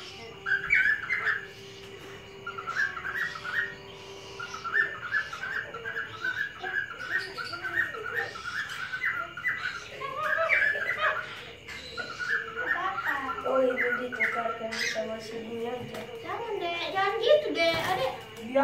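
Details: A pet cockatiel at a breeding farm in Medan, Indonesia gives bursts of chirpy, warbling calls and whistles, with a person talking nearby.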